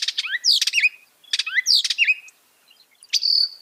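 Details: Northern mockingbird singing mimicked phrases: sharp high sweeping notes mixed with quick downward slurs, two similar phrases then a long high buzzy note.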